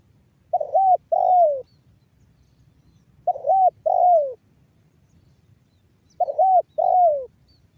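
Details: 'Banggo bocor' voice of a spotted dove from northern Cirebon, West Java, a lure for other doves: three evenly spaced phrases, each a short arched note then a longer falling coo, roughly every three seconds.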